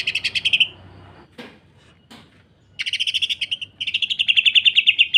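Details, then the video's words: Greater green leafbird in full rough 'sewing machine' song, used as a tutor and provocation recording for other leafbirds. Rapid buzzy notes stutter in bursts, then after a pause and a couple of faint clicks run on as a long, fast, even rattling trill. "Cucak Ijo. Kasaran Rapat Mesin Jahit dan Suara Aneh"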